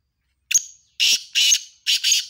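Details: Black francolins competing in a calling match: a brief thin whistle, then four harsh, rasping, buzzy notes in quick pairs, loud and high-pitched, nothing else heard.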